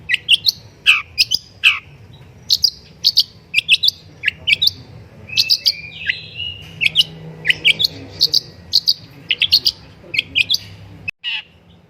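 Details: Long-tailed shrike singing as a master track to prompt singing, steady series of sharp downward-slurred chirps and high squeaks delivered almost continuously for over ten seconds, over a faint low hum, ending abruptly.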